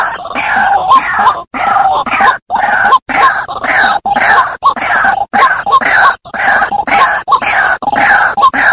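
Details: White-breasted waterhen lure call: grating, groaning phrases with short upward squeaks, repeated almost without pause and broken by brief gaps. The loud recording is clipped and rough.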